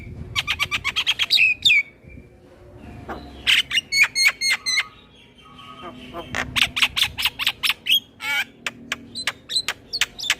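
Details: Male Javan myna singing a full, varied song used as a tutor for training other mynas: rapid buzzy chatter, sharp whistled notes and rising squeaks in quick bursts, with short pauses between phrases.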